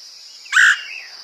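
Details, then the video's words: Woodpecker call played to lure birds: one abrupt, loud, grating squawk lasting about a quarter second, over a constant high-pitched insect drone. "PIKAT BURUNG PELATUK SUARA PANCINGAN"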